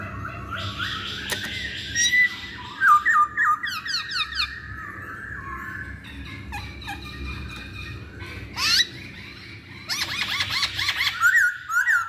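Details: Lively masked laughingthrush song, played to make other birds sing: bursts of rapid, harsh chattering notes alternate with whistled slurs, loud and uneven, with quieter gaps between the outbursts.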